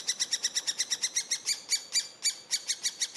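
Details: Eurasian three-toed woodpecker at feeding time, giving quick high chips that slow into spaced, louder and sharper notes, irregularly timed, with no other sounds.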